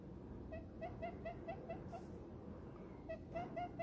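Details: Happy pet diamond dove settled in an owner's palm: brief mellow coo notes repeated quickly in two clusters, separated by a short pause near the middle, with low steady rumble behind.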